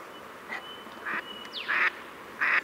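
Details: Short quacks of a Pacific black duck, growing louder, with a faint thin whistle and a brief descending high note from another bird in the background.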